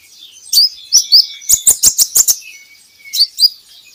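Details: Training-recording song of a kolibri ninja, meant to get birds singing: high, sharp chirps and short downslurred whistles, then a quick run of loud clicks, then more twittering notes.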